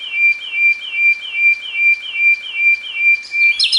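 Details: Sikatan londo song used as masteran training audio: a run of short, bright whistled notes repeated evenly about every half second, each with a steady high tone, ending in a brief higher twittering flourish.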